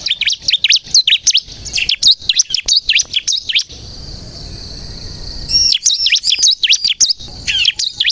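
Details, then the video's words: Bar-winged prinia lure song for trapping and prompting birds to sing: fast, sharp high chirps, a pause of nearly two seconds filled by a steady high tone, then the brisk chirping returns. "suara burung ciblek kristal gacor untuk pikat dan pancingan ciblek bahan agar bunyi"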